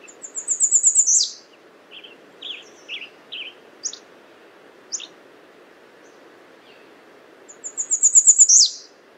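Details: Two songs from an American redstart about seven seconds apart. Each is a quick run of high, thin repeated notes ending in a strong downward slur, with short, quieter chips scattered between.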